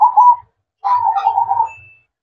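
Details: Brief stretch of zebra dove manggung song after dark: a short coo, a pause, then a longer warbling, trilled coo that gently fades away.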